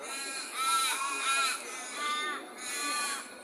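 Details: Birds squawking by day in Perth: three drawn-out, nasal, harmonic calls, each about half a second long and slightly arched in pitch, following each other closely over a steady background hiss.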